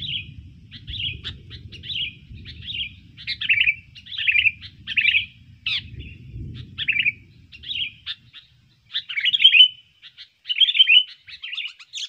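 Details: Sooty-headed bulbul song used as a lure for trapping birds: short bubbly whistled phrases repeated at uneven intervals, roughly every second, with faint low rumble early on.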